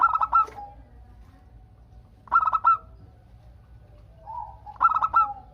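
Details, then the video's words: Zebra dove, local perkutut, singing to prompt others to answer; three clipped, rolling coo phrases spaced about two and a half seconds apart, a softer coo leading into the last. "Perkutut Lokal Gacor Untuk pancingan kutut perkutut agar saling bunyi BERSAUTAN"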